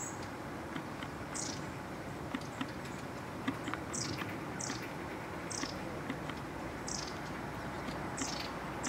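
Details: Long-tailed tit (Aegithalos caudatus) contact calls in November 2015: thin, very high, brief slurred downward 'tsee' notes about every second over a steady hiss of wind or rushing background noise, as the birds arrive.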